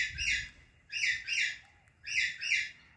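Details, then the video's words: A female rose-ringed (Indian ringneck) parakeet, perched on a fully blooming apple tree, gives harsh, shrill screeches in quick pairs, about one pair a second, with little else behind them. "Female Indian Ringneck Parrot Natural Voice"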